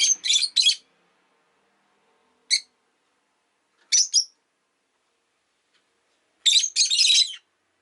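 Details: Calm afternoon with a pet rosy-faced lovebird: scattered bursts of shrill, buzzy chirps, single notes and quick clusters, separated by pauses of one to two seconds.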